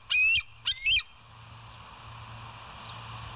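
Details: Bald eagles at West End, live cam on 08/10/2023 at 06:15, let out two short, loud chattering bursts of high, piping, slightly buzzy notes about half a second apart, then quiet hum remains.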